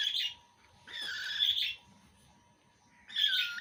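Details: Baby cockatiel eating food, giving harsh, harmonic squawking calls in three bursts, each lasting about half a second, separated by quiet gaps.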